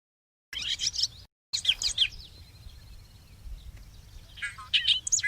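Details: A Bobolink sings outdoors at the Valley of Eden bird sanctuary, south of Stockton, Illinois: bubbly, tumbling bursts of high, metallic, jangling notes in three short outpourings over a few seconds, with faint outdoor background noise.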